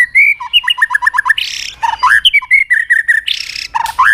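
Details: Energetic white-rumped shama song used to provoke other shamas: a fast series of ringing whistled notes, two bursts of harsh buzzy noise, and low, rich, slurred whistles mixed with chips.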